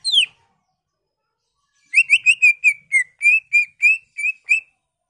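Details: Greater green leafbird lure song for stimulating other leafbirds, displaying its learned repertoire: one downslurred whistle, a pause, then a rapid even series of about twelve short clear whistled notes, roughly three per second.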